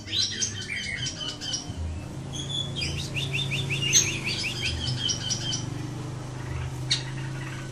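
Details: Ashy tailorbird delivering rapid bursts of sharp, high ticking chirps in clustered runs, pausing briefly between bursts, above a persistent low droning hum.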